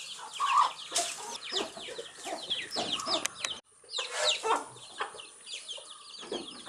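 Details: Several baby chicks feeding on earthworms give quick descending peeps and chirps in bursts, with a brief quiet gap near the middle before the chirping resumes.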